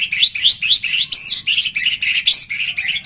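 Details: White-rumped shama singing, a recording meant to set other shamas into vigorous song: a dense, rapid stream of high chirping and tweeting notes, about four a second, bright and scratchy throughout.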